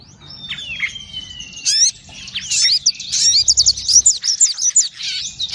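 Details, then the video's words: Sogon singing energetically, called gacor: a long thin high whistle sliding downward, then rapid buzzy chattering notes and sharp high chips packed densely toward the end, some faint low rumble beneath. "SUARA SOGON GACOR"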